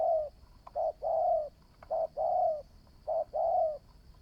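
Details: Spotted dove, a newly caught bird being trained as a decoy and showing promise, gives three low hollow coo phrases, each a short note followed by a longer drawn-out coo, spaced about a second apart, with a faint steady hum.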